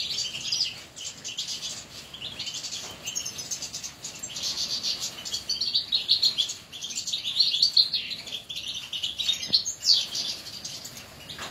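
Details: Several caged European goldfinches singing: rapid, tinkling twitters and buzzy trills, high-pitched and continuous, rising and falling in bursts across the whole stretch, with no other clear sounds.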